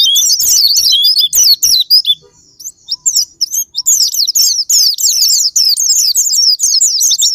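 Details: Japanese white-eye sparring-partner song to trigger singing: a few emphatic high twitter bursts, a quiet gap with scattered thin notes, then a fast, busy stream of chirping warbles to the end.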